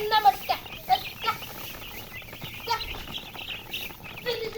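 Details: Chicken chicks calling with louder, lower chirps in uneven bursts, mixed with higher thin peeps and short knocks.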